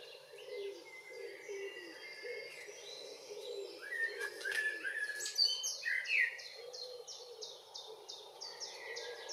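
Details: Evening song of a common blackbird in June, northwest Zealand, Denmark: rich fluty warbled phrases peaking midway, with other birds' rapid high repeated ticking notes throughout and a low droning hum underneath.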